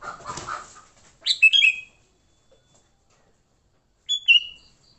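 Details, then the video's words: Sooty-headed bulbul fighting song meant to lure bulbuls: a burst of low chatter, then two short phrases of bubbly, downslurred chirps separated by nearly three seconds of quiet. "Suara Burung Kutilang Gacor TARUNG Tanpa isian, Ampuh untuk pikat Kutilang jadikan Kutilang ribut."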